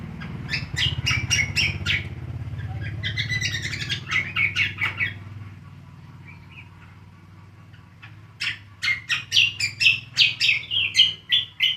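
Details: Greater green leafbird (cucak kombo) singing ngriwik: rapid, repeated buzzy chirps about four a second, a softer warbled middle, then another fast chattering run over a steady low hum.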